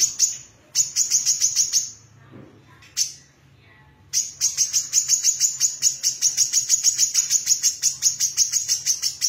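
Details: Female brown-throated sunbird, singing actively, delivers long runs of rapid, evenly spaced, very high ticking chips, about three per second, broken by a short pause, with a faint low hum.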